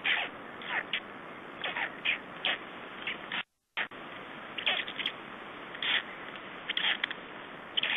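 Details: Just-hatched black stork (Ciconia nigra) chicks at the nest in Estonia, May 2011, give short, thin, high squeaky notes in irregular bursts over a steady hiss, with one brief dropout.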